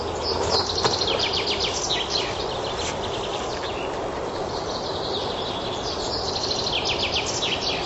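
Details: Common chaffinch singing in a forest in spring, among the first sounds of the season: repeated bright, descending trilled phrases, each about a second and a half long and closing with a flourish, over steady background hiss.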